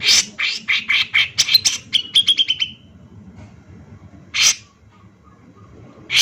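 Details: Male grey-cheeked bulbul singing lively and hard, used as a lure: a rapid run of short, sharp chattering notes over about three seconds that speeds up into a tight trill, then a pause before single harsh bursts.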